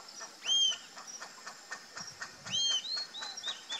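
Rufous-tailed Jacamar giving sharp, high, upslurred squeaky notes, two louder ones about two seconds apart, with softer short calls between and a faint hiss behind.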